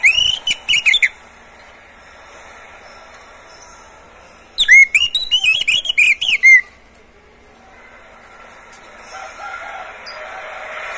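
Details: Oriental magpie-robin held in a cage sings two separated bursts of fast, melodious whistles and chips, with silent gaps between and faint background hiss after; recording meant to get other birds singing.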